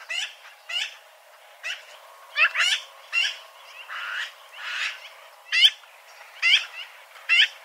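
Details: Eurasian magpie chattering steadily, a run of coarse, rasping notes repeated about once a second, some doubled, loud and close.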